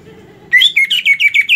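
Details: Greater green leafbird kept after its moult, bursting into a fast chain of about eight bright chirping whistled notes at a steady high pitch over low background murmur.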